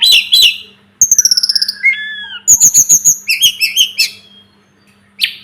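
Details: Sunda robin (sulingan gunung) with a lively run of fast, evenly spaced chirps, a bending whistle, then another quick repeated series and twittering notes before a pause and one last sharp call.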